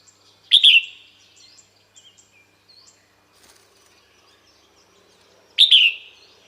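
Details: Female red-whiskered bulbul calling males to approach: a sharp, ringing, down-slurred phrase given twice about five seconds apart, with faint chirps and clicks between.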